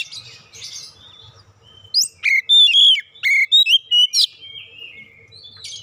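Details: Oriental magpie-robin singing as a lure for other magpie-robins: after a quiet start with faint chirps, a loud two-second sequence of about eight sharp, clear whistles and slurred notes, then quiet again.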